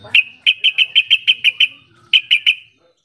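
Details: Calling yellow-vented bulbul, a sound meant to make silent bulbuls start answering: a crisp series of about a dozen clear, evenly spaced chirps, briefly broken, then three more.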